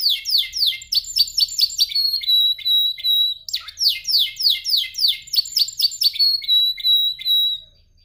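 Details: Canary in singing training, practising its song: bursts of fast, repeated falling whistled syllables forming rolling trills, a short break after about three seconds, then more rolls ending in a sustained high whistled note.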